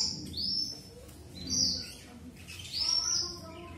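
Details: Red avadavat, also called strawberry finch: three thin, high whistled notes, each a short sliding sweep, spaced about a second apart, over a faint low hum.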